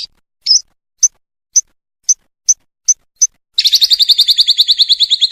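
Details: Contest lovebird in an Indonesian training recording: a string of short, clipped high chips about every half second, then a sudden fast, rattling high trill.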